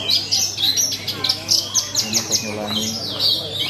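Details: At a bird competition a Javan bush lark delivers choppy bursts of high chirps and slurred whistles in quick succession, while people talk quietly in the background.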